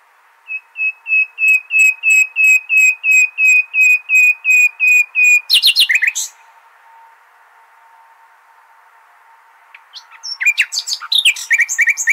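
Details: Nightingale song in the Hasaniya style, played for tutoring goldfinch and hybrid chicks: a long series of about fourteen identical high whistled notes, evenly spaced, then a loud harsh burst, a pause, and scratchy rattling phrases.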